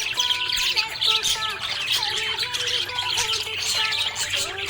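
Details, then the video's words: Happy budgie giving a nonstop scratchy chatter of high chirps and squawky notes, lively and uneven, while sustained musical tones hold steady beneath it. "Happy budgie chirping sound"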